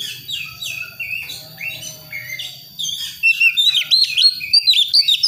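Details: A young, wild-caught Priangan Oriental magpie-robin from West Javan forest practises its song, going from soft to harsh to full notes: varied clear whistles sliding up and down, louder and richer after a few seconds, over a low hum.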